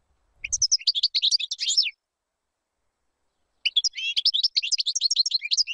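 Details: Two bursts of European goldfinch song for chick tutoring, each a quick jumble of bright high twittering notes, separated by about two seconds of silence.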